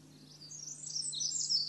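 A Pacific Wren sings a rapid, very high, tinkling jumble of notes that grows louder, with a faint steady low hum behind it.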